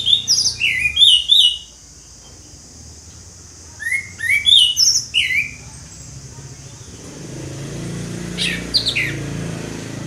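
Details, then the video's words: Orange-headed thrush in ngeplong song, giving two bursts of quick, sweet whistled notes, each under two seconds and several seconds apart, followed by a low rumbling background with faint distant chirps. "ANIS MERAH NGEPLONG, SUARA ANIS MERAH NGEPLONG"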